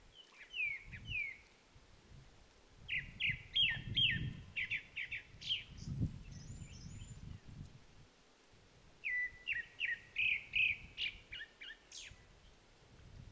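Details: At the Upo wetland otter marsh among blooming Chinese milk vetch, a grey-backed thrush sings three bursts of clear whistled notes, some sliding down and some rising to thin high squeaks, over a low outdoor rumble.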